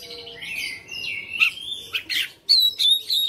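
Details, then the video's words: Caged white-rumped shama, a home-kept fighter bird singing persistently: varied whistled phrases sliding between mid and high pitch, a long descending whistle, then sharp chirps and buzzy notes in quick succession; faint low hum beneath. "KACER RUMAHAN FIGHTER NGOTOT | GACOR"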